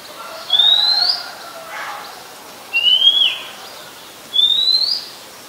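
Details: Singing Oriental magpie-robin, a common resident of Ubon Ratchathani, Thailand, recorded 17 July 2021; three clean upslurred whistles evenly spaced roughly every two seconds, with faint lower notes in between.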